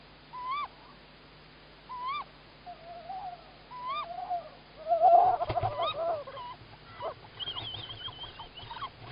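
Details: Female tawny owl in Estonia, 27 March 2018, around 20:21, still calling as the male is thought to bring prey: sharp rising-then-falling 'kewick' calls about every two seconds, then a busier burst of scratchy, excited calls and higher squeaky notes.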